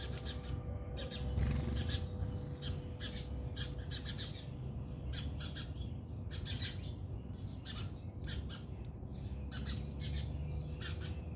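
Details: House sparrows fighting in a backyard in South Africa, giving quick, harsh chirps in scattered bursts over a steady low rumble.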